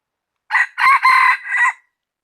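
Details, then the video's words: Full rooster crow from a cockerel recorded 16 January 2020: a loud, hoarse call in four joined parts, a short opening note, two long strained middle sections and a falling final note, lasting just over a second in silence. "Qaib dib coj mug sim qaib qug qua zoo heev gà gáy hay nhất"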